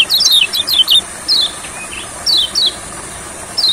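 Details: Olive-backed sunbird (yellow kecial) singing in rice fields: quick bursts of thin, high, descending twittering notes in short clusters about once a second, over a faint steady hiss.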